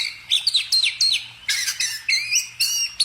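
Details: Songbird chirping in short bursts of bright whistled notes that slur down and up, some sweeping sharply, with brief harsh buzzy notes around the midpoint; a faint steady low hum runs underneath.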